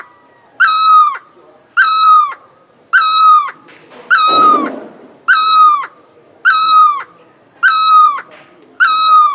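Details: Great barbet singing: a loud series of strong, ringing notes, each sliding downward with rich overtones, given steadily about every 1.2 seconds, eight in all, with a short rough rustle between the fourth and fifth notes.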